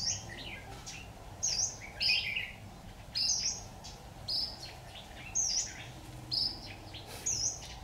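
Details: Red-whiskered bulbul during trapping with a decoy, 26 October 2019: a long run of high, clipped chirps repeated roughly every second, seven or eight loud notes with quieter ones between, over steady low noise.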